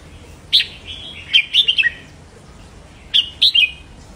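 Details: Caged red-whiskered bulbul in doubling song used to excite other caged bulbuls: a five-note liquid whistled phrase, a short silence, then a second brisk three-note phrase, crisp and clean.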